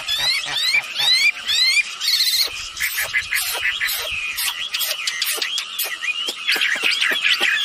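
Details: Female and male red-billed blue magpies used as a lure to prompt calling: repeated rising whistles, roughly two per second, then a dense, harsh chatter and scattered clicks.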